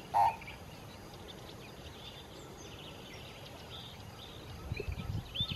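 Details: Grey crowned crane foraging among reeds along the Haga Haga river conservancy, Eastern Cape, South Africa, gives one short, loud, nasal honk, then faint distant bird chirps over a low rumble.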